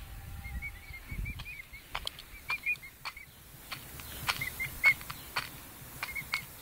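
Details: Five-week-old pet emu chicks give brief, high, piping chirps in loose clusters, interrupted by sharp clicks and tapping, with a low rumble and a faint steady tone early on.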